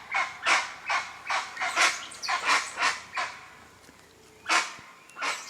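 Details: Guan in the wild giving a series of loud, coarse barking honks about twice a second, then a pause before two more bursts; a quiet whistled bird note lingers in the background.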